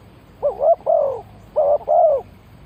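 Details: Spotted dove calling as a decoy to lure wild birds: two bursts of mellow, wavering coos, each made of a rising then falling double note, with a short pause between them and a quiet background.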